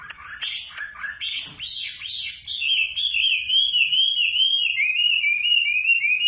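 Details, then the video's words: Singing nightingale opens with a few sharp clicks and short chirps, then runs into a sustained, quavering warble held at a fairly even high pitch. "Singing nightingale. amazing bird song"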